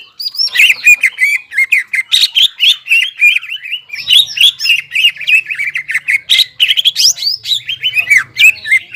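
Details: Greater green leafbird, crested, singing nonstop to excite stressed and silent leafbirds; dense, rapid stream of high squeaky chirps and slurred whistles with barely any pause.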